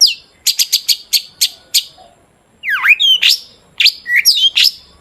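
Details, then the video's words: Long-tailed shrike song as a lure for other shrikes: a quick series of sharp repeated chirps, a pause, then swooping squeaky whistles and rasping notes. "PANCINGAN CENDET AGAR BUNYI"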